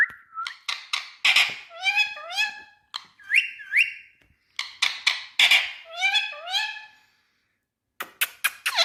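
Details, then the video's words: Indian ringneck parakeet, a green parrot, speaking in bursts of voiced, word-like syllables that swoop upward, opening with a steady whistle and ending in sharp clicking notes after a short silence. "Ringneck Green Parrot🎀Speak Sound"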